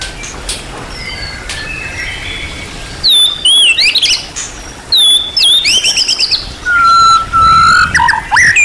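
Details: White-rumped shama, described as a champion-class bird with many song elements, singing in bursts after a quiet start: sharp whistles, rapid sweeping chirps and a long level whistle near the end, with faint background hiss.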